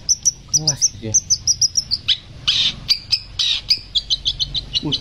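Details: Long-tailed shrike from West Bali, early in its song, pours out a fast, high, rolling string of sharp chirps, several notes a second, broken by brief harsh bursts; faint talking underneath.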